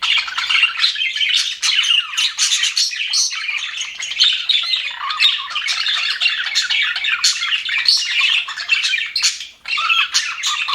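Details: Cheerful aviary budgerigars chattering nonstop, harsh squawks mixed with quick chirps and warbled notes, one short lull near the end.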